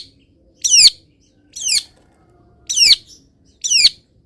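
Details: Caged long-tailed shrike, misted and in morning sunlight, repeats a harsh buzzy descending phrase four times, about once a second.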